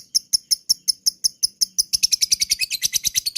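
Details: Lovebird in long ngekek song: evenly spaced high chips, about five per second, accelerate halfway through into a fast, dense, ringing trill.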